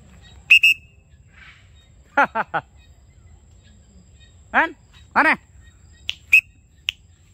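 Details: Macaws flying free in Cambodia at 7 pm: three short harsh squawks in quick succession, then two longer arched squawks, with sharp piercing whistle blasts before and after.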